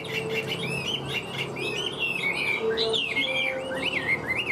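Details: Caged hwamei in full song: a steady stream of clear, looping whistles and rapid warbles rising and falling, with a low hum in the background.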